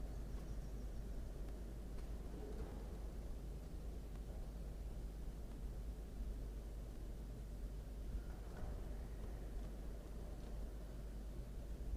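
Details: Steady low rumble of wind or distant traffic with no clear animal calls.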